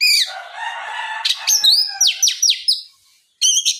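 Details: Oriental magpie-robin lure song to make others sing: a drawn-out harsh buzzy note, then a rapid series of sharp descending whistled strokes and a final short burst.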